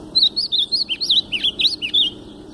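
A White-throated Seedeater sings a rapid phrase of about ten clear, slurred whistles, rising and falling, roughly four per second, in the style of the ultramarine grosbeak.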